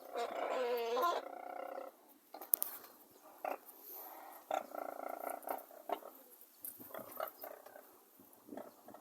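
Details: Brolgas recorded near Longreach in Queensland, Australia, opening with a strong, rough trumpeting call lasting about two seconds, followed by scattered shorter honking and croaking notes with quieter gaps between.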